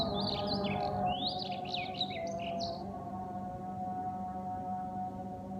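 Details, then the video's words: At dawn during Fajr prayer a bird gives a rapid twittering phrase of high, upslurred and downslurred chirps lasting about three seconds, then falls silent while a steady droning voice continues. "Beautiful #Bird #singing During Fajar Salah"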